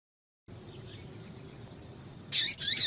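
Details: Female lined seedeater (coleiro) call used to excite males so they sing: after a quiet stretch, two loud high buzzy chirps close together, each with a downward slurred tail.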